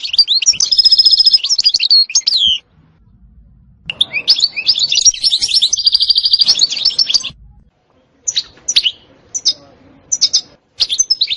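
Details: European goldfinch song of the 'setsta' and 'batbata' type: two long phrases of high twittering with rapid buzzy trills, separated by a quiet gap, then a series of short separate chips spaced about half a second apart.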